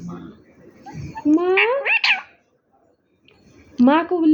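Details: Low murmuring at first, then a parrot's drawn-out talking phrase that climbs into squeaky high syllables. After a short silence it gives a final rising, nasal word.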